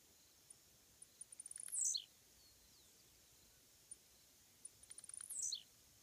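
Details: Tiziu, or blue-black grassquit, sits on a fence along a road and sings twice, about three and a half seconds apart. Each phrase is accelerating dry clicks followed by a piercing, buzzy downward swoop.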